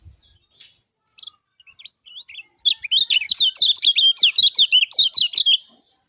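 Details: Lemon-bellied white-eye of the Lombok type: a few scattered high notes, then a fast, lively run of thin, sharply descending chirps, nearly three per second, in a clean recording.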